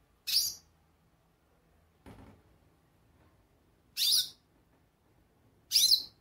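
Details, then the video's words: Goldfinch calling: three loud, sharp, high chirps spaced about two seconds apart, with a faint low thump between them and quiet background. "Pintassilgo chamando"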